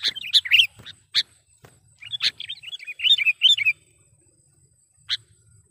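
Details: Sooty-headed bulbul used as a lure bird, giving its calling song to provoke wild bulbuls: bright, bubbly chirps, a few sharp notes, a quick gurgling phrase, then one last clear note after a pause.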